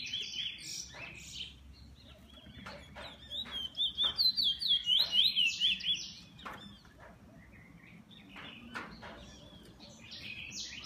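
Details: A kept bullfinch gives scattered high chirps, then a loud burst of rapid pulsed trilling in the middle, before fading back to sparse twitters.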